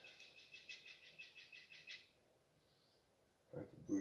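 A Blue Jay gives a rapid run of about ten harsh, raspy notes over two seconds, followed by a person starting to speak.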